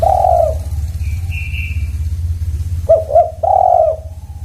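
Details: Spotted dove cooing: a long hoarse coo, then two short rising notes and another drawn-out coo, with a thin high whistle between and steady low rumble.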